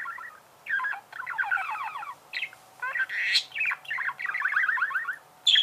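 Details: Budgerigar chattering in several buzzy, rapidly pulsed phrases separated by brief pauses, with a harsh squawk in the middle.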